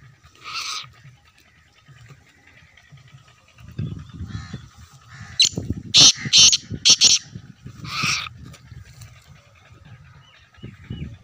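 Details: Black francolin calling: a harsh note opens, then a rapid run of four or five loud, grating, clipped notes mid-clip and another harsh note near the end, over low rumbling background noise.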